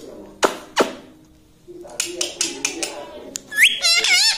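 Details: Talking pet parrot in a small room: sharp taps and clicks at first, then near the end a loud, nasal, wavering utterance that rises and warbles.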